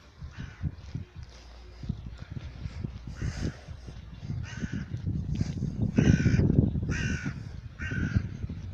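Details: A tame rook, going out for a walk with its owner, gives a series of harsh, hoarse caws about one per second, with low rumbling handling noise and a brief human voice asking why it is shouting.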